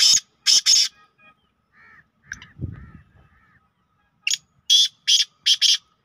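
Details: Black francolin (kala teetar), recorded on the evening of 24 June 2023, gives harsh, grating notes in two loud bursts: a pair at the start and five quick ones near the end, with quiet sounds between.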